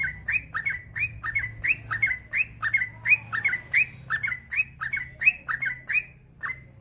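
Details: Trucukan 'gacor' song, long and rapid, offered as a master recording to get other bulbuls singing: evenly paced bubbly whistles, each note sliding upward then down, about one and a half phrases per second, trailing off at the close.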